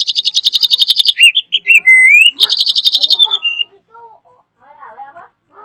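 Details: Drongo in loud, varied song: a fast run of buzzy notes, a slurred rising whistle, another buzzy burst, then softer scattered notes trailing off.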